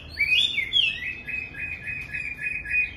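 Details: A caged Chinese hwamei on a fourth-floor home aviary, on a fine, chilly early-winter day, sings loud clear whistled phrases, rising and falling slurs, then rapid repeated high notes at an even pace, with music in the background.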